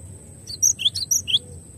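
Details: Cinereous tit (glatik batu) in a clear master recording: a brief burst of five bright, high chirps, some upswept, delivered quickly.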